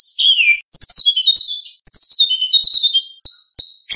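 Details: White-rumped shama in full competition song packed with mimicked phrases, used as tutor material for young speckled birds: slurred descending whistles, then bursts of high sweeping notes and sharp clipped chips, no other sounds.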